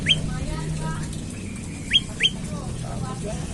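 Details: Olive-backed tailorbird morning lure call, used to stir other tailorbirds to sing: a few abrupt rising chirps, one at the start and a close pair near the middle, over low murmuring background noise.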